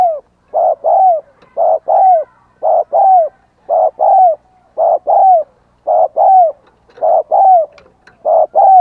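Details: Decoy spotted dove giving driving coos and calling coos to lure wild doves: low, hollow coos in quick pairs, each second note sliding downward, repeated steadily about once per second through the stretch, with no other sounds.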